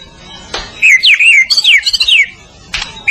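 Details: ['White-rumped shama of the Medan type on a training master recording: one short burst of sweeping, swooping whistled notes, with faint clicks before and after.']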